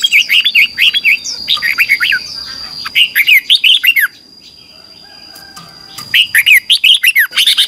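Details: Red-whiskered bulbul in heated competitive morning singing, 'ché' style, meant as a lure for training birds: long runs of fast, rhythmic, looping whistled notes broken by one quiet pause, with a steady high whine.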